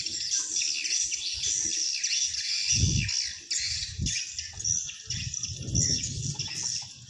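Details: High twittering of swiftlets played to attract wild birds into a swiftlet house, a nonstop buzzy chatter with some low thumps and rumble.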